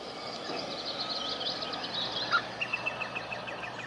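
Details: Iberian green woodpecker (Picus sharpei), endemic to the Iberian Peninsula and found in deciduous woods and gardens, calls: a quick series of short, even notes, about seven a second, starting near the end, over steady hiss and background noise.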